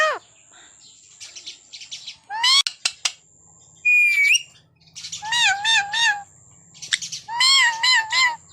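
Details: Caged pet parrot giving a series of loud squawks and warbling, wavering syllables in bursts, including one clear whistled note. A faint low hum runs underneath.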